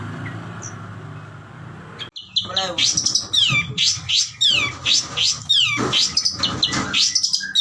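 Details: Long-tailed shrike in full 'isian' song, a rich mix of fill phrases: loud, fast strings of high sweeping whistles and buzzy notes that cascade downward, delivered almost without pause after a quieter start.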